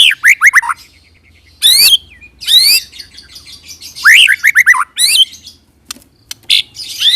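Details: White-rumped shama (murai batu) singing in a lure recording to make other shamas respond: varied phrases of downslurred whistles, buzzy rising bursts and short chips, with a faint low hum behind.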